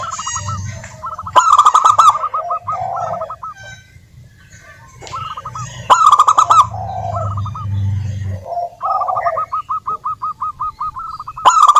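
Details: Local wild zebra dove in vigorous song, played to prompt others to sing: repeated phrases open with sharp clicking bursts and run into fast, evenly spaced short coos, with a low droning hum beneath.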